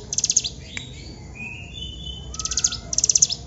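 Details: Hill prinia song in the long-burst 'tembakan panjang' style: a shrill ticking rattle, a pause with softer thin whistled notes, then two more rapid high rattles of descending strokes.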